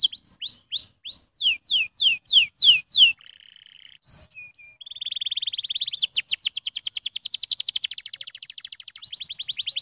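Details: Canary stimulating song moving from slow sweeping whistles to a soft buzzy trill, a brief note cluster, then a long fast rolling trill of rapid repeated notes.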